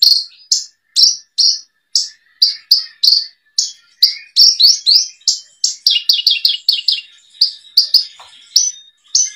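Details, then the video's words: Javan bush lark singing in a 2022 tutor collection: long string of bright high chirps, evenly spaced at first, then quickening into dense twittering runs before slowing again. "Kumpulan masteran burung branjangan"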